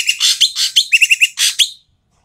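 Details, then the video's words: Loud, rough chatter from an Asian pied starling, used as a lure to get reluctant starlings singing: broad grating bursts, then a quick string of four clipped nasal notes and a final rasp. "BURUNG EKEK KELING BERISIK SUARA KERAS DAN KASAR COCOK UNTUK PANCINGAN BURUNG EKEK MALAS BUNYI"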